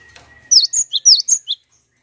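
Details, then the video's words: Single quick burst of six piercing, high, down-slurred chirps from a cinereous tit, played as a lure to make other birds sing, after a brief faint whistle. "Pancingan Gelatik Batu Langsung Bunyi!"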